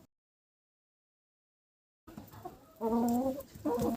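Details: A black Cochin hen in an adult family group with a rooster, the hen apparently interested, gives a few drawn-out, tonal clucks after a silent start. Finding: Chicken.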